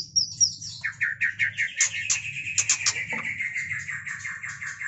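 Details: Mating murai batu, or white-rumped shama, delivers a fast, rhythmic series of sharp chirps repeated several times a second, bright and high, over a faint low rumble.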